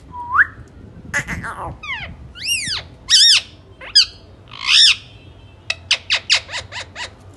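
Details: A pet talking ring-necked parakeet speaking Urdu gives a string of rising whistles and harsh, speech-like squawked syllables, ending in a quick run of about seven sharp chirps.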